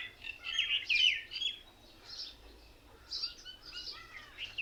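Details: Many mynas sitting together in one tree, said to mimic other birds as if laughing at each other: overlapping chirps and short whistled, slurred notes from several birds, rising and falling, with loud bursts near the start and again after three seconds.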